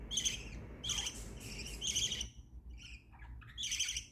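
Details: Happy pet budgerigars calling with loud grating chirps in a rapid cluster, then softer scattered notes and a final loud chirp, over a low constant hum.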